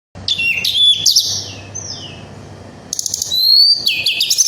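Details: Little Pied Flycatcher (tledekan gunung) in full 'gacor ngerol nembak' song, used to provoke other flycatchers: high whistled notes and downslurred phrases, a quieter gap mid-clip, then bright rising whistles; faint low hum beneath.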